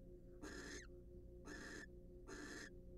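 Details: Three rough, hissing screeches, each ending in a slight downward slur, come from wild barn owls during preening and courtship in a monitored nest box, with a steady low hum.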